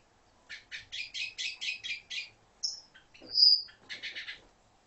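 A red-billed quelea sings in fast bursts of buzzy, scratchy chatter, broken by a thin high whistle and a sharper squeaky note before the chatter resumes.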